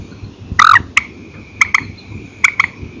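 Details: At night, a purple swamphen from an old file: one longer, fuller harsh note, then short clicks singly and in pairs, steady hum in the background.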